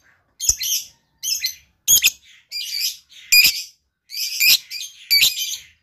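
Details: Lovebird giving loud, harsh, high-pitched screechy bursts of chatter, each under a second long, repeated with short pauses throughout.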